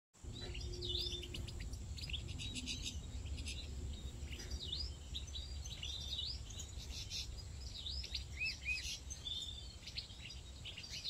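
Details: European goldfinches bathing in a pool at a large breeding farm, a white mutation among them; many high, quick twittering chirps and short rising and falling notes overlap throughout, over a steady low rumbling hum.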